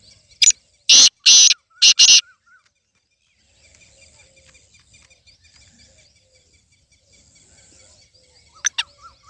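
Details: Black francolin (kala teetar), a home-bred bird: a quick series of four harsh, rasping syllables in the first two seconds, then near silence with faint noise, and two more short grating notes near the end.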